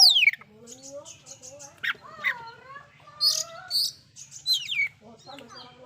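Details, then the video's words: Oriental magpie-robin singing loudly with fill-in phrases to stir up other magpie-robins: a quick high downslur, then soft lower whistled notes mixed with scattered sharp chips and buzzy bursts, over a steady low hum. "KACER SUARA KERAS ISIAN BIKIN BURUNG KACER LAIN'JADI NAIK EMOSINYA"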